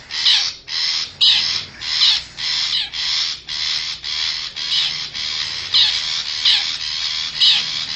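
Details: Wild forest long-tailed shrike used as lure audio to bring wild birds near: a steady run of harsh, raspy chattering notes, about a dozen bursts in quick, slightly uneven succession.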